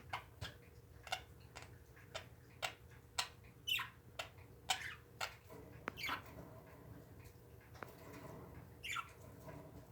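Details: Pet parakeets make scattered squeaky chirps and a few downslurred calls among many sharp clicking taps, quieter toward the end.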